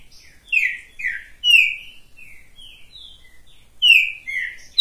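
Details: Hand-held green-winged saltator song: bright, loud whistles that fall in pitch, grouped in pairs with quieter connecting notes, ending on a sharp high note.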